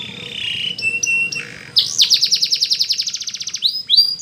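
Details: Canary training song: a wavering whistled note and short flat tones, then a loud rapid series of sweeping pulsed notes for about two seconds, finishing with two rising whistles.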